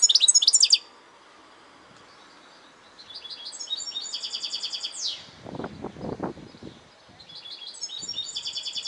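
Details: European goldfinch song: bursts of rapid, tinkling, buzzy trills high in pitch, with a downward sweeping note near the middle and a low broadband rustle or thump beneath, phrases separated by short pauses.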